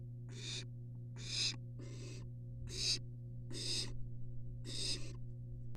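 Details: Three wild barn owl siblings huddled in a University of Florida nest box, recorded on a live nest cam; six harsh, breathy hissing screeches, each about a third of a second long, repeat roughly every 0.8 seconds over a steady low electrical hum.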